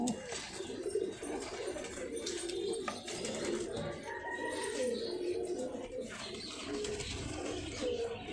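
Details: Caged pigeons offered for sale give low, rolling coos in short repeated phrases, over a roomy background hum with faint voices and occasional higher chirps.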